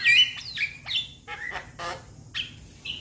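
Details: Young Javan myna calling to companions with a few separate notes: a bright whistled opening, a descending slur, a harsh broadband rasp, then two short clear whistles.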